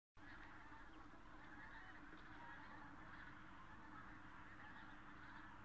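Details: Common cranes near Berlin, Germany, on 24 October 2015: a dense chorus of overlapping trumpeting calls from a large flock, steady throughout, over a low constant rumble.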